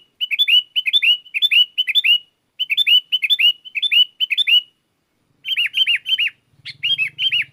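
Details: Sooty-headed bulbul calling wild bulbuls that answer noisily; paired chirping notes repeated in steady phrases, a pause, then more chirps over a faint low hum near the end.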